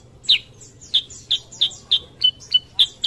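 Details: Sooty-headed bulbul, kutilang sutra, recorded as a lure to stimulate other birds to sing; sharp high chirps repeat about every third of a second, some with a slurred downward tail, over a faint low hum.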